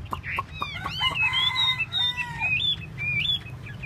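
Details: Chinese hwamei (hoa mi) performing a tail display, singing loud clear whistled phrases, some long level notes and rising-falling slurs, delivered in quick varied bursts over a low background hum.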